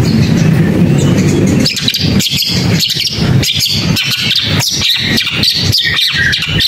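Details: Long-tailed shrike: rumbling low noise at first, then a fast, uneven chatter of high scratchy and whistled notes, almost two per second, with sharp clicks between.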